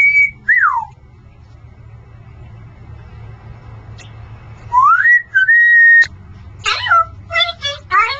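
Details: Male pet Congo African grey parrot whistles a falling note, later a long rising then level whistle, followed by a quick run of wavering, meow-like and chattering sounds, indoors with low background hum.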